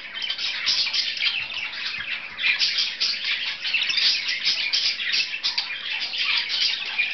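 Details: Two budgerigars at play at home: squawky, chirping chatter in fast overlapping bursts, a continuous bright twitter with occasional louder harsh notes.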